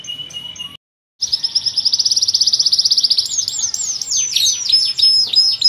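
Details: Canary of the loper kind singing its cengkok song: a steady trill, a brief break, then a long pulsing high trill that gives way to rapid descending chirps and a thin whistle.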